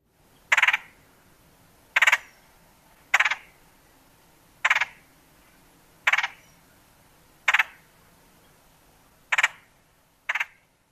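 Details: Red-headed Woodpecker giving rattling calls used to communicate with family members: short, harsh, grating rattles, eight bursts at uneven gaps of one to two seconds, against a quiet background.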